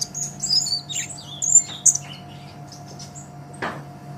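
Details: ['Olive-backed sunbird singing briskly, meant as a master recording for songbird training: a burst of high twittering and squeaky notes in the first two seconds, then quiet hum and a single sharp knock.']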